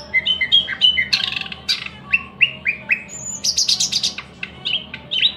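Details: Thrush nightingale singing a fast, varied phrase: clicking notes, short whistled slurs repeated in a series, then a dry buzzy rattle of rapid pulses, ending in sharp chirps.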